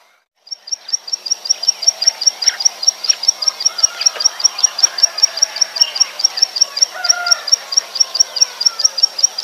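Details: Rice-field prinia lure recording, said to be natural, used to attract prinias: a rapid, even run of sharp, high ticking notes throughout, over a busy chatter of other small birds.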